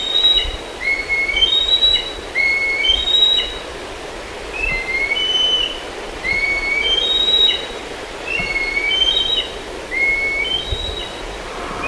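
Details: Black kite calling near Kemerovo: series of high, thin whistled notes in short bursts, with a brief quiet gap midway, then the whistling resumes over steady low hiss.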